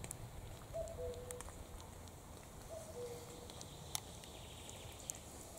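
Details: Common cuckoo singing in a forest setting: two cu-coo phrases, each a higher note falling to a lower one, about two seconds apart, with faint background bird calls and rustling.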